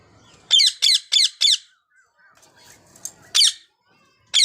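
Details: Rapid burst of four piercing, high parakeet screeches from rose-ringed parakeets, a pause with soft chatter, then further single shrill calls.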